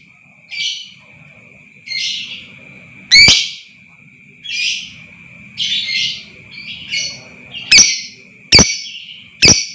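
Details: Lovebird lure to provoke long trills: a run of soft raspy chattering notes broken by loud sharp shrieking chirps, quickening toward the end, over a steady high hum and faint low murmur.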